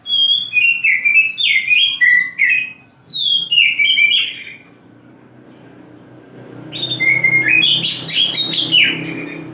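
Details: Morning song of an oriental magpie-robin: rapid varied whistled phrases with slurred downward notes, a brief pause near the middle, then a denser burst of tangled whistles and chatter, with a low background hum.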